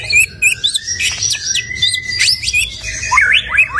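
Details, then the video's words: A stone magpie's high, busy song: rapid sharp chirps and whistles over a steady thin tone, ending in a few looping up-and-down slurs. "Stone Magpie Bird - Beautiful Bird Song"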